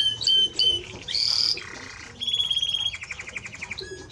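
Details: Varied song of a Timbrado Español canary: separate piping notes, a harsh buzzy burst, a lower rattling passage, then a fast even trill fading to scattered notes.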